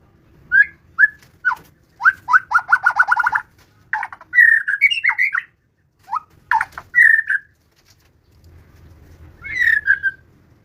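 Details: White-rumped shama delivering scattered whistled notes, a rapid rattling series of short notes, sliding warbles, and a final falling whistle, with pauses between phrases.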